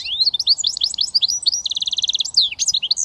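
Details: Switty song from a goldfinch mule hybrid: a continuous, lively stream of high twittered notes, moving into a rapid even series of repeated chips, then sharp upward and downward swept notes.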